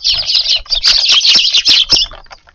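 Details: Several sparrows come into a Japanese garden at dusk to feed, giving a continuous jumble of sharp chirps and twittering for two seconds before it thins to a few scattered notes.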